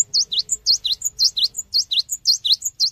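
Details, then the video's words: Cinereous tit in vigorous song, played as a training lure: a steady, rapid string of clear high whistled notes alternating with lower dipping ones, about five notes a second throughout. "SUARA BURUNG GELATIK BATU GACOR UNTUK PANCINGAN"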